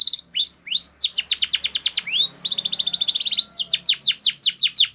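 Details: Canary training song with rising whistles, then rapid descending strokes, a dense buzzy trill and more fast sweeps, all against light background noise.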